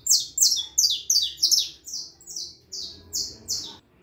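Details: Young harlequin saffron finch, four and a half months old, sings a rapid string of loud, buzzy, downward-sliding notes, first quick and paired, then slower and evenly spaced.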